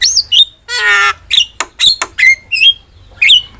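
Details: Javan myna singing gacor masteran: high whistled slurs, a nasal buzzy harmonic note near one second, then clipped squawks and rising whistles.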